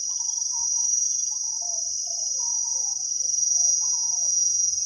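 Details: Wild spotted dove singing the 'khu ang' style with a big voice, heard during decoy trapping in Thailand: a series of short low coos rising and falling, over constant shrill insect noise.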